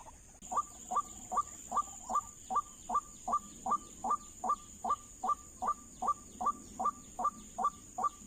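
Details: White-breasted waterhen calling in answer to a lure at an oil palm plantation where no trapping had been done before. Harsh, evenly spaced croaking notes repeat about two and a half times per second throughout, over a constant high-pitched hiss.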